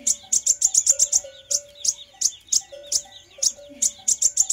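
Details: Rapid high chips from a fire-breasted sunbird, used as a lure recording, come in a fast burst, then spaced single notes, then another quick flurry, with a faint hum below.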